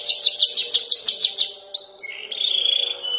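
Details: Young canary practising its song, learning to roll long and deliver sharp bursts: a rapid series of bright, down-slurred notes about six per second, then a rising sweep, ending in a steady high whistled tone.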